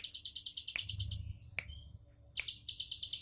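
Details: In its relaxed 'tembakan' song, a bar-winged prinia gives a rapid high trill that stops for a moment and then resumes. Sharp clicks and a low rumble can be heard.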